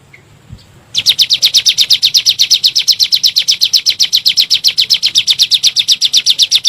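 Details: After a quiet second, a bar-winged prinia launches into a steady 'nembak' burst, an even, machine-gun-like string of high chirps about four per second, played as a lure for caged birds.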